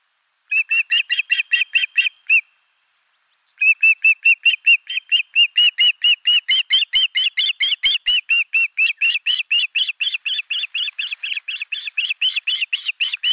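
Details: Osprey at a nest watched by camera in Finland, 29 June 2024, as the male brings a large live fish and the female feeds their only chick; a loud, fast series of upslurred whistled notes, a brief pause, then a longer, quickening run.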